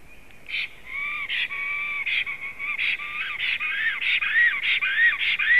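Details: Male and female black storks whistling on 18 April 2016 at 19:35; thin, drawn-out whistles with slight rises and falls, alternating with hoarse, breathy bursts that repeat roughly every half second and grow louder toward the end.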